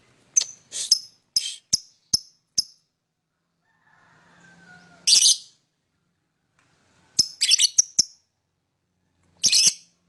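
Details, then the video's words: Lovebird singing and chirping: a fast run of sharp, high chirps, a pause with a faint low hum, then a harsh buzzy burst and more clipped chirps in quick clusters. "lovebird singing & chirping sound"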